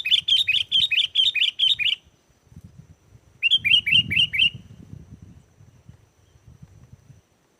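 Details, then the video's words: Sooty-headed bulbul song meant to lure wild bulbuls into answering: rapid series of clear, chirpy warbled notes, a two-second burst then a shorter one, with faint low rumbling and rustling beneath. "SUARA GACOR BURUNG KUTILANG!! KUTILANG LIAR AUTO LANGSUNG NYAUT DAN IKUT GACOR"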